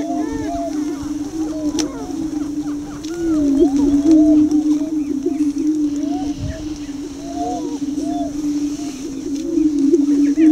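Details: Young male greater prairie chicken displaying at the edge of a lek near blinds, Tympanuchus Wildlife Management Area east of Crookston, Minnesota; steady low droning hoots fill the background, overlaid by frequent short rising whoops and cackling notes.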